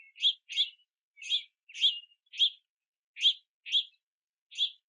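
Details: House finch juveniles at a backyard bird feeder in rainy weather, begging to be fed; eight sharp, high chirps at irregular intervals, often paired, clean background.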